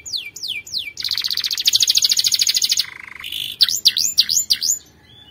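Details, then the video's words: ['Canary delivering a powerful song meant for training: falling whistles, a long rapid buzzy trill, a brief lower roll, then several sharp V-shaped chirps before it fades.'] "Canary' s most powerful song - spectacular video training canary singing bird"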